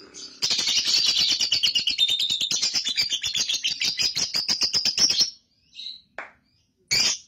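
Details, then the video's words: Young lovebird giving ngekek, the long chatter, in a lure recording: a fast, steady stream of harsh, buzzy, shrill pulses, about three per second, runs for nearly five seconds, then a few isolated squeaks. "PANCINGAN LOVEBIRD PAUD AGAR NGEKEK"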